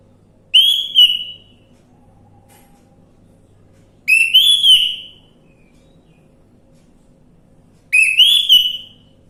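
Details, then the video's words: Lure recording of orange-headed thrush song meant to coax a silent bird into singing. Three short, bright whistled phrases come roughly every three and a half seconds, each a rising note followed by a warbled slur, with faint hum between. "Pancingan Anis merah macet bunyi"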